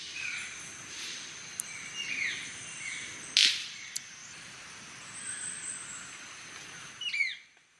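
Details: Golden-collared manakin in moist lowland forest of Panama: sharp, loud snapping clicks scattered a few seconds apart, mixed with short high slurred whistles, over a steady high insect drone.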